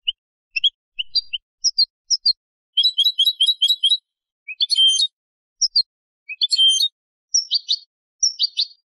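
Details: European goldfinch hybrid singing, used for teaching young birds: bright high twittering phrases broken by short pauses, with quick trilled runs and tinkling notes, no other sounds.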